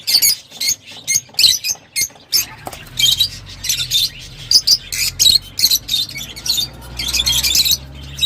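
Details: Lovebirds chatter with rapid, high, piercing chirps and squawks in steady bursts, a dense and somewhat harsh flock sound with a faint low hum beneath.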